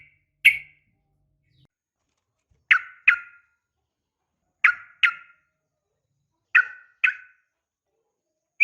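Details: Female sooty-headed bulbul calling to provoke males to respond, in the uplik tarung style: short, sharp chirped notes, first alone, then in spaced pairs roughly every two seconds, with silence between.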